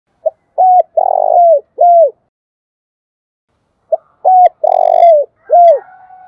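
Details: Decoy spotted dove calling in the morning to lure wild doves: two phrases of a short note, then three coos near 700, the middle one long and rough, the last falling, with a faint distant reply at the end.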